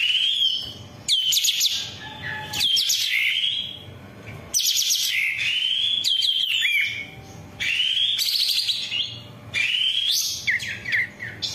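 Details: Long-tailed shrike song meant for training caged birds: varied loud phrases of sweeping whistles and harsh, scratchy notes separated by brief pauses, with gliding tones dipping and rising, and some background noise throughout.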